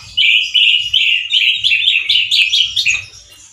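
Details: Loud, harsh song of a male orange-headed thrush in 'gacor teler' style. Strong whistled notes repeat about every half second, then become more varied and jumbled toward the end. Faint low background hum.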